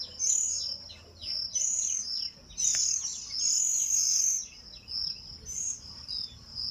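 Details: Oriental magpie-robin chicks out of the nest, begging as their mother feeds them: loud, high, insistent chirps in quick clustered bursts, some longer shrill runs, over a quiet low hum.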